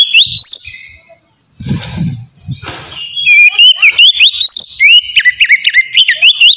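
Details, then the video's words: White-rumped shama giving a relaxed ngeplong song meant to lure wild shamas: an opening whistle, a pause with low rustling noise, then a long run of rapid, bright, rising and falling whistled notes. "suara kacer ngeplong santai sangat cocok buat mancing kacer bahan"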